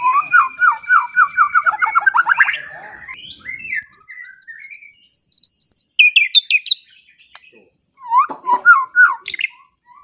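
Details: White-rumped shama song played as a morning and evening training lure for songbirds: a varied run of rising whistled notes near the start, then high clear phrases and a burst of quick downslurred notes, with short pauses.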